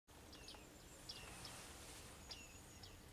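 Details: Bearded reedlings, also called bearded tits: a few short, faint pinging notes that drop steeply from high to mid pitch, spaced irregularly over steady background hiss.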